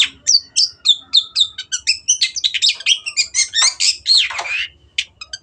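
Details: Long-tailed shrike singing a fast varied medley of chirps, whistles and harsh rattling notes, about four notes a second, ending in a rasping slur.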